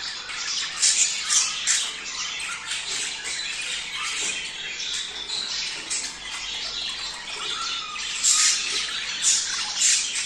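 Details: Budgerigar mating chatter aimed at getting males and females to breed: long, dense stretch of shrill chirping and squawks, livelier bursts near one, eight and nine and a half seconds.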